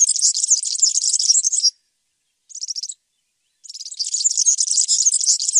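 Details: European serin: a fast, glassy, jingling warble, a short broken snippet after a pause, then another long run of high, crowded, twittering notes.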